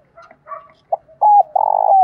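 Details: Decoy spotted dove with a standard 'tho dong' voice, cooing to lure wild doves in: soft low coos build to two loud, steady, hoarse coo notes at the end, with no other sounds.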